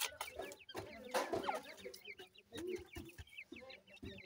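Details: Young francolins peeping in quick, high, squiggly notes over low clucks, interrupted by sharp clicks and a loud scuffling burst near the start.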